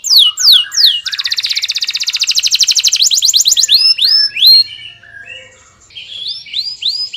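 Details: Canary gives a few sharp falling whistles, then a dense buzzing trill, followed by softer upward-hooked notes repeated at a relaxed pace.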